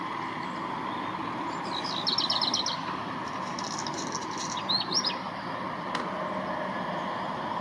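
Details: A one-year-old male Black Redstart, not yet in breeding plumage, practises its song in spring 2021 at Gradignan: a quick run of high repeated notes, then a short scratchy phrase a couple of seconds later, over steady traffic hum.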